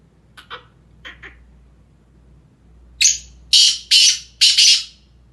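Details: A Sindhi black francolin gives a few soft, clipped notes, then a loud phrase of four rough, grating, buzzy notes delivered quickly one after another.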